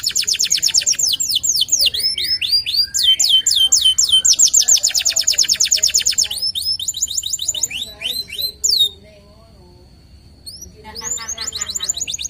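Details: A local canary delivers long, dense bursts of rapid high trills and swept notes, then pauses in near silence before resuming with quicker trilled phrases.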